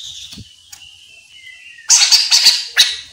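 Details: Chestnut-capped laughingthrush song used as a lure so other laughingthrushes answer; a thin faint whistle drifts low at first, then a loud burst of harsh, rapid, bright notes erupts for about a second near the end.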